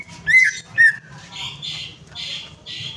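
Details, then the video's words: Greater green leafbird prompting song: two clear slurred whistles followed by several harsh, broadband squawk-like bursts, with a final whistle cut short at the end. "PANCINGAN CUCAK IJO MACET PARAH"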